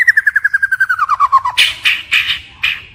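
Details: White-rumped shama in forest-style song: a rapid trill of about twenty notes that steadily drops in pitch, followed by several harsh, noisy bursts.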